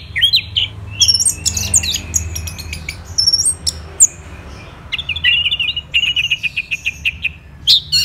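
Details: Orange-headed thrush singing in captivity: varied high whistles and sharp chirps, then a rhythmic series of repeated trilled notes, loud and clear above a faint low hum.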